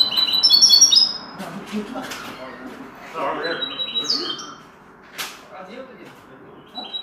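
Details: Common linnet taught the goldfinch's song opens with a fast, high, sparkling trill, followed by scattered softer chirps and a brief thin rising note, with some low background murmur.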